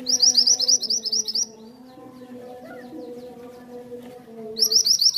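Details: Mantenan (small minivet) repeating quick, high, sweet upslurred notes in a run of about a second and a half. After a quiet gap with low droning hum, the trill starts again.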